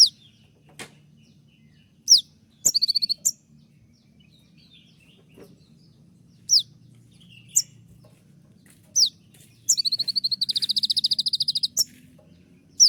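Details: Konin master song for training birds, the 'tembakan' style: scattered sharp high down-slurred whistles, then a long, rapid, even trill of buzzy repeated notes lasting about two seconds near the end, over a faint low hum.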